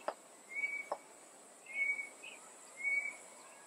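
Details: Tropical boubou in coastal Mozambique, where two birds usually call alternately from inside bushes or treetops: three short, pure whistled notes about a second apart, two dry clicks near the start, steady high insect hiss.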